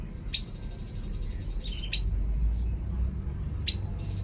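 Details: Tepus babbler song: an even high whistled trill of rapid repeated pulses, punctuated by three sharp, explosive notes about one and a half seconds apart, low rumble below.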